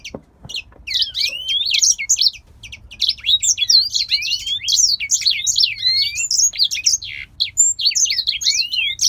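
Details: Grey singer finch, a caged male bred in Poland, in extended song; rapid, jumbled high twitters, trills and upward-sliding whistles run almost nonstop for nine seconds with only short gaps.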